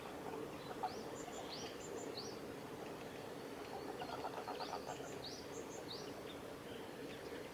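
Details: Male red crossbill at Kawaguchiko Field Center, Japan, 14 April 2018: short upward-sweeping chirps in quick pairs with thin high notes, repeated in two bursts over steady low background hum.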